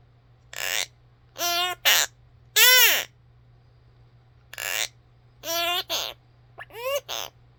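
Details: A pet mini macaw parrot calls in loud, rich, harmonic bursts, several sliding downward in pitch, grouped in twos and threes with short pauses between, indoors in a quiet room.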